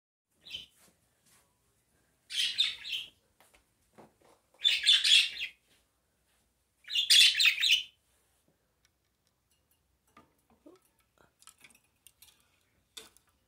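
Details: Pet budgerigar taking his monthly bath gives bursts of scratchy, high chattering chirps separated by short pauses.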